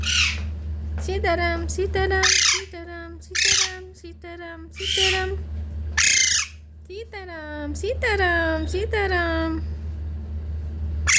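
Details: Young talking parrot chick giving a busy series of short harmonic squawks and harsh broadband screeches, with several arched, slurred notes near the end, over a steady low electrical hum.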